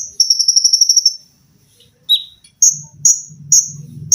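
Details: Olive-backed sunbird (konin) on a tutoring recording for cage birds, featuring tembakan rapat, mesin jahit, lengkingan and besetan: a rapid, shrill trill of about nine notes, then separate piercing chirps over a low hum.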